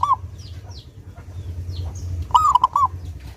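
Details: Lure recording of a clear-voiced, actively singing local zebra dove to make doves sing: a clipped note at the start, scattered thin chirps of other birds, then a full phrase of four ringing coos.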